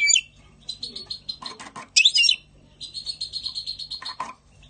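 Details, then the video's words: Goldfinch song in spring, mostly steady runs of thin, buzzy high chips with a loud jangling burst in the middle and a faint rustling noise behind. "Chant chardonneret 2020 spring Carduelis"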